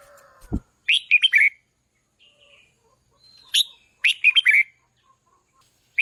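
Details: Red-whiskered bulbul song played to rouse decoy birds and train loud singing: two bright phrases of quick, rising and falling whistled notes, each about half a second long. A short lower tone sounds just before the first phrase.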